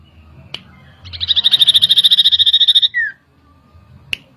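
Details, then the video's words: Common iora song used to agitate birds as a lure: a fast, even trill of high notes for nearly two seconds, a down-slurred whistle, then silence broken by a single click. "PANCINGAN CIPOH LANGSUNG EMOSI"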